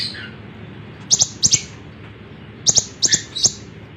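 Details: Lemon-bellied white-eye song for tutoring songbirds: paired sharp, very high chip notes delivered in short clusters with pauses between, plus a faint lower slurred note.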